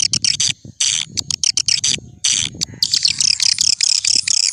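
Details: Swiftlet luring call in an old-fashioned recording: clipped bursts of high buzzy chatter with abrupt breaks, giving way after three seconds to dense continuous high twittering.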